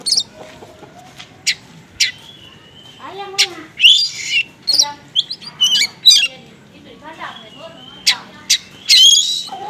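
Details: Oriental magpie-robin in konslet style with mimicked small-bird material, as a lure: a dense, varied stream of harsh squawks, high sharp strokes, buzzy notes and lower warbled tones, all crowded closely together.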